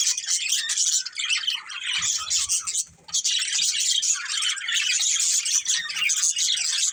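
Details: Dense budgie chatter, with many chirps and squawks blended into a constant high twittering and one brief lull around three seconds.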